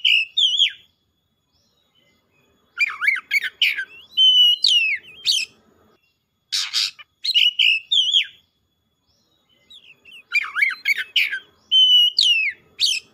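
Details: Excited, fully sung Oriental magpie-robin delivering its learned fill-in phrases. Rich whistled runs mix with rapid chirps and rasping buzzes in three long bouts separated by silent pauses. One loud broad hiss stands out midway.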